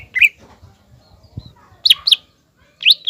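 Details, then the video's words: Green leafbird singing to provoke a young spotted leafbird; a few scattered loud, slurred whistles about a second apart, with quiet gaps and faint low thumps between them. "CUCAK IJO GACOR MEMANCING CUCAK IJO TROTOL AGAR EMOSI DAN PANAS"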